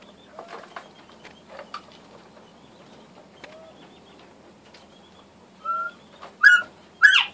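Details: Northern bobwhite quail gives soft whistled notes, ending in two loud, clear, upslurred whistles; faint rustling and other quiet chirps in the background.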